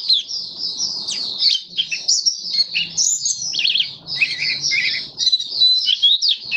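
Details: White-eye singing openly, kept and fed for warm humid conditions, March 2022: a varied, warbling high twitter mixing thin whistles, scratchy notes and a few lower trilled phrases, with faint low room noise beneath.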